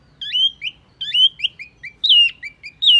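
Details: Wambi mini bird used as a lure: repeated phrases of bright, upward-sliding whistles with short high chips, each phrase about a second apart, clean and loud.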